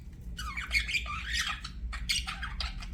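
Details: Short burst of budgie chatter: harsh, buzzy squawks and quick chirps sliding up and down, over a low background hum.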